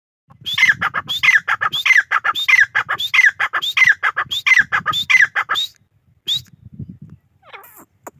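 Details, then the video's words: Black francolin (Irani teetar) calling: a fast, steady run of harsh, grating squawks about every half second for some six seconds, then a few scattered fainter notes as it falls quiet. "Irani teetar ki awaz | teetar awaz"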